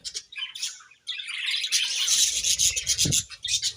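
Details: Pet budgies chirping in the morning. A busy stream of high, rasping twitters and warbles runs with a short pause near one second, over low rumbling and a brief knock.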